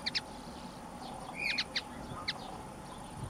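Common linnet giving brief, dry twittering notes with a short clear whistle in the middle, spaced irregularly over a steady background hum.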